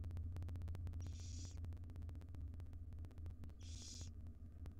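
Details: Five wild barn owl owlets in a nest box beg for breakfast from their mother; two harsh hissing calls about three seconds apart, with a rapid regular ticking and deep hum behind.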